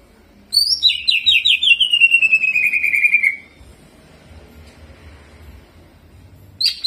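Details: Excited greater green leafbird singing a rolling, mimicking song: a sharp high note drops into a fast, buzzy, descending trill lasting nearly three seconds, followed by quiet and a brief new phrase at the end.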